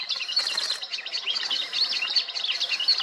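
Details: Swamp grass babbler, a rare bird filmed in India, giving busy high chirping notes in a rapid, jumbled run of short twittering phrases, with no low-pitched background sounds.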